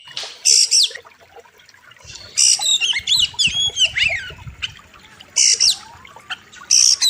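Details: Oriental magpie-robin master song for training birds, sharp and full of varied phrases, set against a wild river: loud whistled and buzzy bursts in clusters, with quieter gaps between them and a soft trickle of water underneath.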